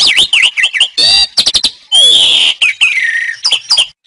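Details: Song of the Asian pied starling, local name jalak suren, used to train pet songbirds: wavering whistles, harsh rasping bursts and a long hoarse slurred note, then short chips.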